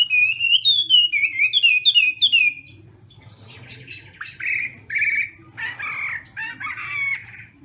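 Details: Chinese hwamei contest singing at a morning training session: a burst of bright repeated whistled swoops, then softer, scratchier chattering phrases and short buzzy notes with pauses between.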